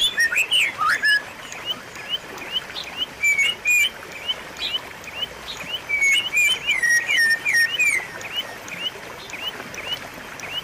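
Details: Loud white-rumped shama song serving as a training lure for a silent bird: rich, varied whistles and quick slurred notes in bursts, with sharp high chips and a background of rapid repeated upslurred chirps throughout.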